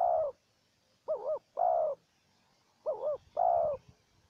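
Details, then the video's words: Spotted dove in a calling duel between a wild bird and a decoy during trapping. Soft warbled coos alternate with longer sustained coos, pairs spaced about 1.5 seconds apart. The surroundings are quiet. "Pikat dan Terkukur Liar Adu Suara"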